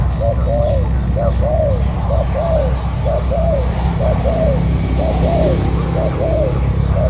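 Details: Wild-caught spotted dove used as a decoy bird, cooing steadily: short two-part mellow coos, each a brief note followed by a longer falling one, repeated about every 0.7 seconds, over a constant low hum and a thin high whine.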